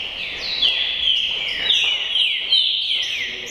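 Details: Tricolor green-winged saltator, a kept bird, delivering a run of strong whistled notes, each dropping sharply in pitch, repeated about every half second in a fluid descending series over low background noise.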